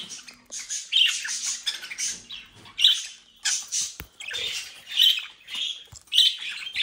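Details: Dense scratchy warbling from captive home-bred budgerigars near Den Haag, Netherlands, with repeated sharp squeaks and a sudden click midway; continuous chatter throughout.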